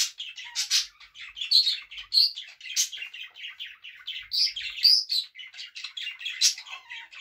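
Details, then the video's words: A pet budgerigar, a female, sings while dancing: a continuous warble, a fast chattering stream of scratchy chirps and bright rising whistles with no pauses. "Ева поет"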